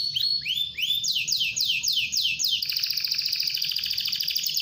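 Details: Canary singing to encourage other canaries to join in: a few sliding whistled notes, then a run of loud repeated down-slurred sweeps, ending in a fast, even, high rattling trill.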